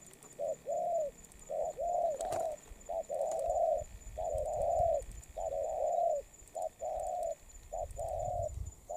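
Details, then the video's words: Spotted dove, a fresh wild-caught bird of the Đồng Pha type, in molt, cooing steadily. Short hoots alternate with long, mellow, flat-topped coos in continuous phrases for nine seconds, with a faint ticking in the background. "Bổi Đồng Pha tốt tiếng , liền lẹ , bài khá , gù tốt"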